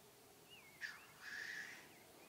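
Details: Black grouse during the 2015 mating-season display, heard from a hide: a sharp hissing burst then a longer airy hiss, with thin, slurred whistles from another bird around it.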